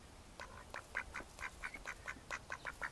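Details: Mallard ducks, May 2014, calling in a brisk, nearly regular series of short nasal quacks, roughly four to five per second, against faint low background noise.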